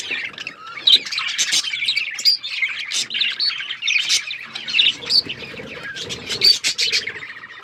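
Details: While eating seeds, a group of budgies keeps up lively chirping, rapid warbling phrases broken by sharp high squeaks every second or two.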